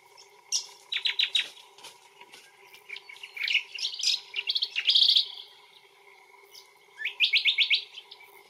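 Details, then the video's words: Brown honeyeater (Lichmera indistincta) in Australia giving loud bright calls: quick bursts of rapid repeated sharp notes, a cluster of varied chirps midway, then another fast descending run of notes near the end. "Brown Honeyeater calling"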